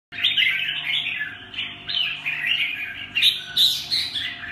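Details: Red-whiskered bulbul singing a stream of bright, warbled chirping phrases with quick rising and falling notes. Soft low thumps and a faint steady hum sit underneath.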